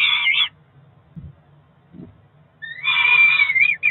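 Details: Four-week-old Peregrine falcon chicks at a Cromer nest calling through a morning feed on 2 June 2023. A shrill screech is followed by a soft thump, then a long, loud, wavering wail. A low hum is heard throughout.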